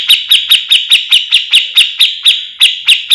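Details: Grey-cheeked bulbul used as a master for training other birds of its kind, singing gacor full mbeset: strident, scratchy notes repeated steadily about four times a second over a continuous buzzy undertone.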